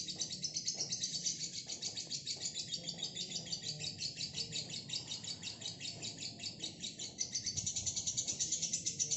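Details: Single female fighter lovebird singing a long ngekek song. A rapid, unbroken run of high, shrill chattering trills, pulsing several times per second with brief dips, lasting the whole stretch.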